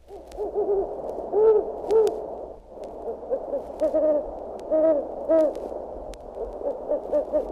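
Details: Great Horned Owl, from a 1961 audio field guide to eastern and central North American birds, gives deep, soft hoots in two groups, a pair and then a quicker run of three or four, with faint hiss behind.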